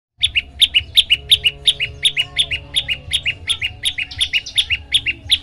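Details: Olive-backed tailorbird song used as a tutor recording to set other birds singing: rapid repeated two-part chirps, a sharp high note then a lower one, about three per second, steady and loud throughout.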